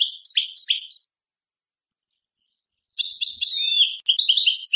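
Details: European goldfinch giving rapid high twittering phrases, a short burst, a silence of two seconds, then a longer run with slurred and buzzy notes.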